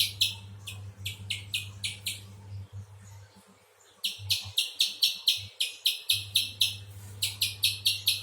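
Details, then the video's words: Bursts of rapid, high, dry chip notes from a spectacled spiderhunter, broken by a pause of about a second and a half before the chipping resumes, over a faint low hum. "Burung pijantung besar"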